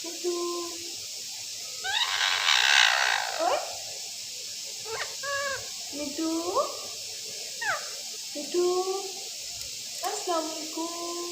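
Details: Speaking rose-ringed parakeet producing a loud harsh burst followed by chattering sequences of rising and falling whistled, harmonic notes, with steady tonal phrases between and a low room hum.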